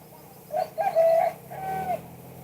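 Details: Two-kuk-hoi song of a spotted dove: a short coo, then a strong, slightly rough coo and a sustained, even hoo that fades downward. A low hum is faintly audible.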